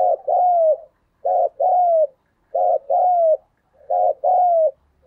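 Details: Spotted dove giving the 'thúc gù' urging coo, played to stimulate other doves to coo: four double coos, each a short low burst followed by a longer, slightly falling mellow coo, repeating about every 1.3 seconds.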